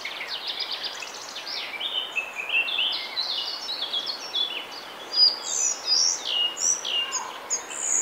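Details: Male collared flycatcher singing in Bavaria, Germany, in May 2020: a slow, varied phrase of high squeaky whistles and short stepped notes, some rising, over steady broadband background hiss.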